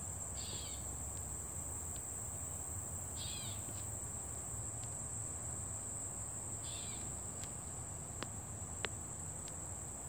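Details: Summer meadow bird calling in sunshine: three short raspy chirps with falling notes, spaced roughly three seconds apart, with a continuous high-pitched insect whine and a few faint clicks behind.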